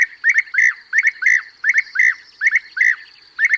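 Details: European bee-eater calls used as a hunting lure: liquid, rolling 'prruip' calls in quick clusters of two or three, a cluster about every three-quarters of a second; nothing else heard.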